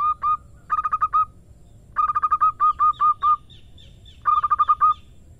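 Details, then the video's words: Female zebra dove of a local type calling to a male, giving rapid runs of short, bright, evenly spaced notes in three or four bursts separated by brief silences, with a faint higher note between bursts. "Perkutut Betina Memanggil Jantan"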